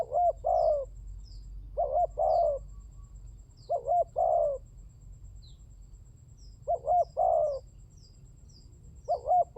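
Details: Spotted dove calls used to lure doves: repeated phrases of two short hooked notes and a long burry coo about every two seconds, with thin high descending chirps of small birds and a low rumble.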